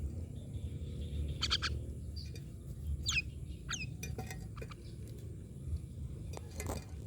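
Mynas giving a few sharp, downward-sweeping whistles and harsh chattering notes, scattered over several seconds against a steady low rumble of background noise.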